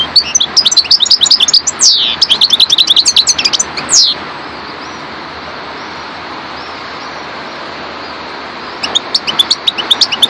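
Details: European goldfinch, race parva, giving about four seconds of rapid high twittering with descending slurs, then falling silent before a last short burst of chirps.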